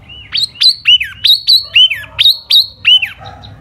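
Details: Silver-eared laughingthrush, a single bird singing in spring in the 'hót xoè' style, rendered as loud clear whistled notes, each a short rising then falling slur, repeated about every third of a second in an even run.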